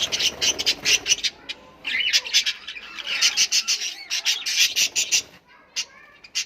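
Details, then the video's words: Australian parrots give harsh, grating squawks and chattering calls, several voices overlapping in rapid bursts through the whole stretch. "Australian Parrots sounds"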